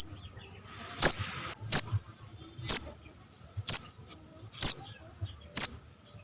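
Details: Javan cuckoo chick calling, a sound used as a trapping lure: six very high, sharp chirps spaced just under a second apart, steady and insistent, in a quiet setting.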